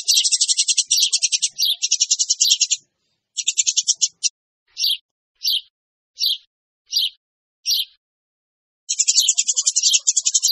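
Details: Eurasian tree sparrows, a noisy lure recording: dense high chattering chirp trains, then short separate chirp bursts about every half second, then a renewed fast chatter.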